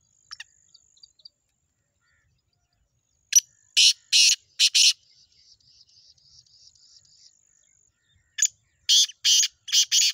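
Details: Black francolin, locally chakri wali tettar, calling in two bouts of grating, explosive notes, three or four per bout, separated by a soft pulsing high buzz, likely an insect.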